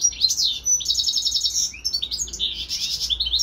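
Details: Kept European goldfinch, sharing space with a serin-canary hybrid, giving a dense run of high tinkling notes, rapid trills and sliding chirps with no break. Faint low background hum.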